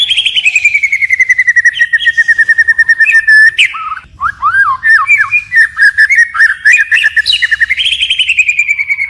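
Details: White-rumped shama in forest-style song with constant phrase changes: a long gently falling whistle with a rapid trill laid over it, then a jumble of quick looping whistles before another long trilled whistle.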